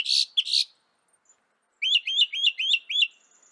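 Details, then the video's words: Northern mockingbird of North America singing: two buzzy, harsh notes, then a brief pause and a run of five bright, rising chirped phrases repeated in quick succession. "Veja o canto do pássaro, ave zombeteira"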